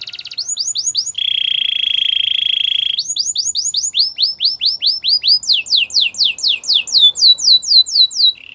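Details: Gloster canary song: quick looping whistles, a sustained low buzzy roll, then long runs of repeated downward-sweeping whistled notes, about four per second, sliding in pitch.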